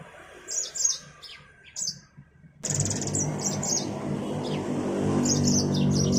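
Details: Yellow-fronted canary, named Mozambique finch from Africa, gives sparse high chirps at first. Loud low rumbling noise then starts and continues while quick twittering phrases go on above it.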